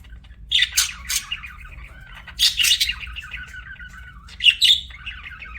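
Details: Budgerigar chirps in three separated bursts about two seconds apart, each a burst of harsh squeaky notes trailing into a softer buzzy warble, the last with a clear whistled tone.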